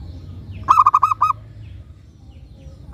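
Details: Singing local zebra dove used for luring other doves into answering delivers one phrase of five soft, rhythmic coos. A fresh phrase just begins at the end. Low droning noise in the background.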